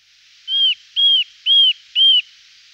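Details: Eurasian nuthatch (Sitta europaea) giving four clear, pure whistled notes, each slightly arched and evenly spaced about half a second apart, over faint background hiss.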